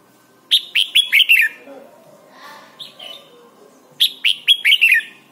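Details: Red-whiskered bulbul, recorded as a training song for young birds, singing two quick phrases of about five bright, liquid whistled notes, about three seconds apart, with faint softer notes between them.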